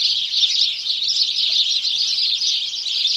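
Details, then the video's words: Flock of house sparrows calling together, a steady, unbroken mass of bright, squeaky chirps at an even loudness throughout, with no pauses and nothing else audible. "House Sparrow Birds Chorus"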